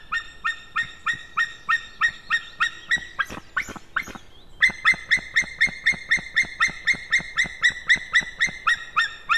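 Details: Calling male white-tailed eagle, 16 May 2016 around 11:50: rapid chain of ringing, harmonic yelps about four per second, briefly broken by clattering noise midway, then resuming louder and more even through to the close.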